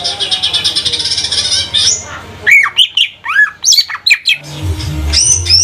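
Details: Kept greater green leafbird of the cucak ijo trotol type from Banyuwangi, song used as a lure. A long harsh buzzing stretch yields to loud sweeping whistles and chattering notes, then buzzy sounds over a low rumble.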